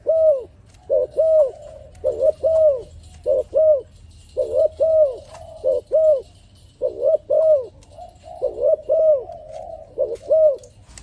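A dove sings soft, low cooing notes in short bursts of two or three, each note bending up and falling, repeated steadily with brief pauses.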